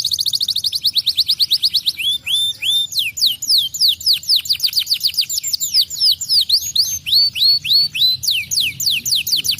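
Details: Extended canary song: a very rapid trill of short repeated notes, followed by rising whistles and long runs of downward-swept chirps in shifting tempos.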